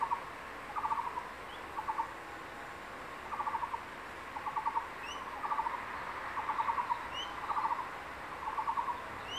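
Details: Male crested goshawk at its nest in secondary forest during the breeding season, holding a freshly caught lizard and calling its incubating mate to come and eat: short, rapid chattering bursts of clipped notes repeated about once a second, with faint insects behind.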